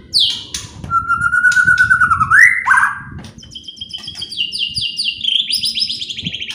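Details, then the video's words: White-rumped shama song used to provoke other shamas. A long, slightly wavering whistle rises into an upsweep, followed by a fast even high trill of repeated notes, about three per second. "DENGAR SEBENTAR SAJA..BIKIN MURAI APAPUN ,,,//,,LANGSUNG,,IKUTAN EMOSI"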